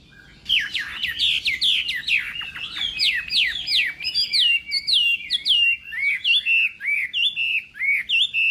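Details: Chinese hwamei practising its contest song in the morning, pouring out rapid, varied whistled notes: first a quick chattering run, then a steadier sequence of loud slurred whistles.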